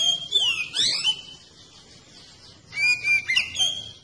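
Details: Oriental magpie-robin (kacer) singing to lure others of its kind into song: swooping whistles with sharp down-slides, a pause of about one and a half seconds, then a steady whistle and quick varied notes.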